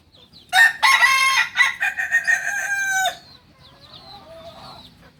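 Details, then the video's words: Long multi-part crow of a Kukuak balenggek, the singing chicken of Solok, West Sumatra. It runs about two and a half seconds in fast, choppy pulses, falling in steps toward the end, followed by a faint trailing call. "Ayam kukuak balenggek ayam penyanyi dari solok sumbar"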